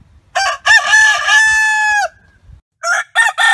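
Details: Rooster crowing, a loud harsh crow in which a short opening syllable leads into a long, rich, sustained note that drops off at the end, followed after a brief gap by the choppy start of another crow.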